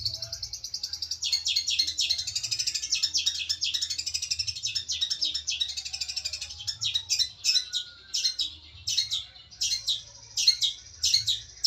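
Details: Long-tailed shrike, a champion competition bird at regency and national level, singing a continuous high, fast twittering warble that later breaks into choppy bursts of sharp chirps separated by short gaps.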